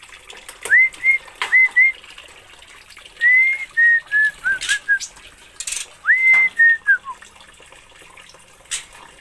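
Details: Singing Oriental magpie-robin from Aceh, with sharply rising whistles followed by level notes and a descending chain of short whistles, spaced into three phrases, with some knocking sounds in between.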